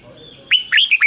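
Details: Red-whiskered bulbul used as a decoy, singing 'ché' to lure wild birds: one brief phrase of three or four quick, bright, slurred whistles after a quiet start with a faint steady tone.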